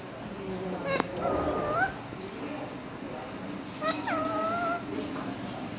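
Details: Pet rose-ringed parakeet talking, saying "mian mitthu" in Urdu and Hindi: two drawn-out, harmonic, speech-like phrases with a slight rise at the end, separated by a pause, over a low steady room hum.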